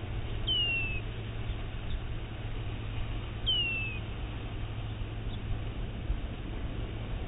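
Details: A bald eagle calling right near the microphone on the Channel Islands off California, 24 October 2015: two thin, high whistles sliding downward, about three seconds apart, over a steady low rumble.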